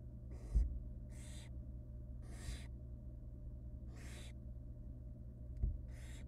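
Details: Barn owl nestlings begging while the female feeds them rabbit pieces in a wild nest box; five rasping, hissing snores, each about a third of a second, repeated roughly every second, with faint thumps and steady low background hum.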